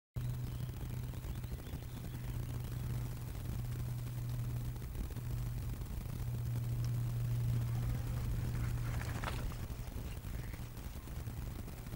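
A steady low hum runs beneath broadband rushing noise, with a brief faint burst near the end and no animal voice.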